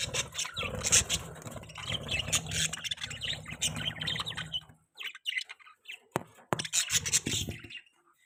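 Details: Budgerigar chirping and chattering rapidly in high, scratchy notes over a low hum, then a few sharp isolated chirps after a brief quiet spell.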